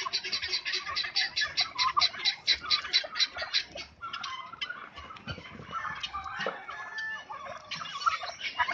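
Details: Seven or eight farm turkeys fighting: a dense stream of rapid, buzzy gobbling bursts, loud and pulsing at roughly two per second early on, then looser, overlapping rattles and squeaks from several birds.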